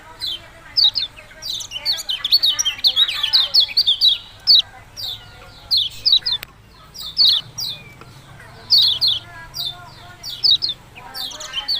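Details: Yellow-bellied prinia with "ciak-ciak jos" singing: dense chattering bursts of high downslurred chirps early on, then spaced pairs and triplets of sharp notes, one faint click partway through.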